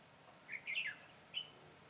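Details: Red-whiskered bulbul singing as a decoy to lure wild birds during trapping on 22 September 2017; a short warbled phrase of slurred whistles, then a single clear note after a pause, over quiet background.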